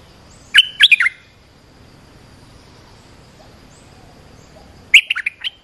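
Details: Bubbly, slurred phrase of an olive-winged bulbul, played to train young birds and lure wild birds, followed four seconds later by a second similar burst of quick chattering notes.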